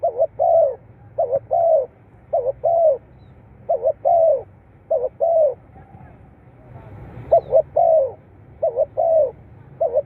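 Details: Repeated low coos from a spotted dove, meant to prompt caged doves. Paired short notes lead into a longer rounded coo, phrase after phrase, with a short gap midway and faint murmur.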